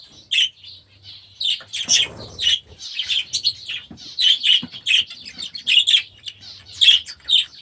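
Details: Budgerigars hatched last year, now grown and released into a new aviary, give scattered bright chirps and squeaky warbled notes in quick bursts, with short quiet gaps between.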